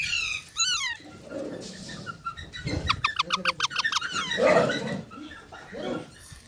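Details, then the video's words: Baby parrots: two harsh downward squawks open, followed by a rapid series of short clipped notes, with low rumbling handling noise throughout. "Baby Parrots Sounds"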